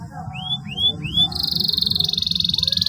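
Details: Canary lure song for canaries that have stopped singing: three upswept whistles followed by a fast, even, buzzy high trill, with a low hum in the background.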